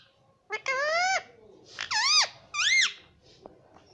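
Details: Pet parrot talking indoors, three loud harmonic utterances: a long sustained one, then two shorter, arching, bent notes, separated by brief pauses.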